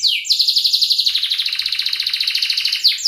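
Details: Canary singing a training song for young canaries: a rapid, even trill at high pitch that drops lower partway through, ending with sharp downslurred notes.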